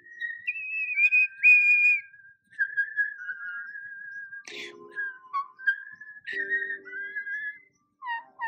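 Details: A pet female common starling, aged 1 year 4 months, indoors, runs through clear, level and sliding whistles, with sharp clicks and buzzy bursts like mimicked speech; a whistled song plays in the background.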